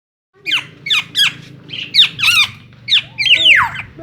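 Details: Black-naped oriole with a red breast, kept caged and described as agitated, gives loud harsh squeaky notes, repeated every few tenths of a second, with descending slurred squawks and a low hum behind.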